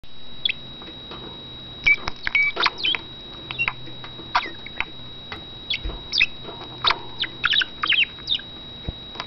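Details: Male pet budgerigar kept in a cage, a talker that also whistles and mimics wild birds, giving fast scratchy chatter: clusters of short clicks and chirps with a few brief whistled notes, steady faint hum underneath.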